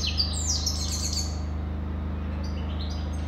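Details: Goldfinch song opens with a rapid burst of bright, liquid twitters and buzzy slides, fading to softer scattered notes, with a constant low hum underneath.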